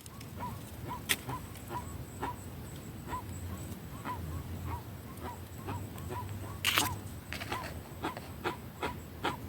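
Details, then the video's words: Jacu, a guan, calling in the sertão: evenly repeated short yelping notes, roughly two or three a second throughout, over a low hum and occasional sharp clicks. "Jacu fazendo barulho no sertão"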